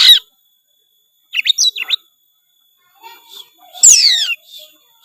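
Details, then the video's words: Oriental magpie-robin (kacer) singing gacor, full isian: a brief sharp note, a quick series of rising-falling whistles, then a loud buzzy downward-sweeping rasp, with quiet gaps between. "suara kacer gacor full isian"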